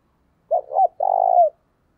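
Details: Lure cooing of a spotted dove aimed at wild birds: two short hollow notes leading into one long, purring, slightly falling coo, with no other sounds.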